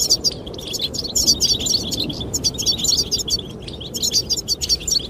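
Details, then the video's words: Courting goldfinches chirp and twitter continuously at a high pitch in dense, bubbling phrases while wind roars low in the background. "the chirping of goldfinches"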